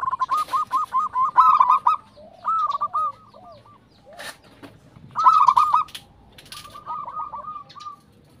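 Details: Zebra dove manggung song used as a lure to prompt other zebra doves to sing: bursts of rapid, staccato, slightly rising coos, like a fast purring trill, with pauses between phrases and overlapping voices.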